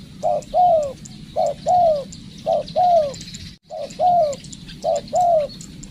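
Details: Spotted dove in decoy training, repeating a two-part phrase of a short coo followed by a longer, slightly falling coo, four times, with faint high twittering from other birds behind.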